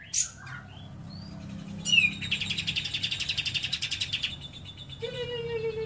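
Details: Lovebird with learned cililin song: soft chirps and a rising squeak, then a moderately quiet run of quick, buzzy pulses, ending with a falling whistle.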